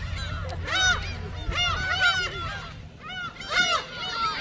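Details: Gulls taking shrimp cracker snacks at Seonjaedo island, South Korea: clustered loud arched cries in groups roughly every half second to second, several birds overlapping, with a low hum underneath.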